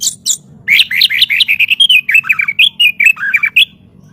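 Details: White-rumped shama in full song, recorded as master audio for training other birds: two sharp opening notes, then about three seconds of fast, loud, continuous warbling of slurred whistles and chirps, over a faint low hum.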